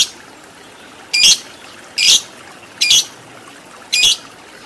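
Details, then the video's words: Lovebird, tutor audio aimed at fighter lovebirds with long ngekek chatter; four harsh, shrill squawks come roughly once a second, each brief and noisy, over a steady background hiss. "Masteran Lovebird Agar Cepat Menjadi Lovebird Fighter Ngekek Panjang"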